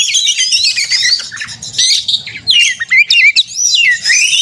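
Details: Contest simulation of Oriental magpie-robin fighting song to spur a caged kacer into singing: busy run of high twittering and whistled phrases, then separate sharp upward and downward slurred notes in short bursts.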